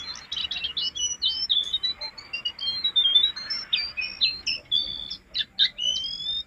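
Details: Master song of a vigorously singing jongkangan, used to lure and train caged birds: continuous high-pitched warbling of quick chirps, upslurred whistles and short trills strung together without pause.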